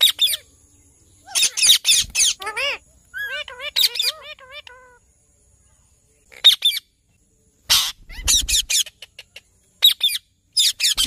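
Indian ringneck parakeet giving harsh, shrill squawks in bursts, with a run of quick rising-falling chirps in between.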